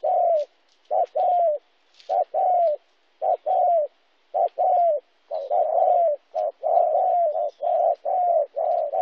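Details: Spotted dove recorded in Kon Tum, Vietnam, on 26 January 2016, cooing steadily: short low notes leading into longer, slightly falling coos, about one phrase per second over nine seconds, with a quiet background.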